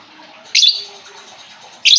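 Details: Lure recording of lovebird song meant to restart a lovebird that has gone silent: two sharp bursts of high, scratchy chirping chatter separated by a quieter pause with soft twitters.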